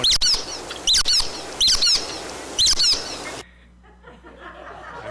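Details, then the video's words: A nutcracker gives four squeaky, nasal, rubber-duck-like calls, roughly one every second, then the recording cuts to faint room noise. "It sounds like a rubber ducky, but that's the sound of a nutcracker."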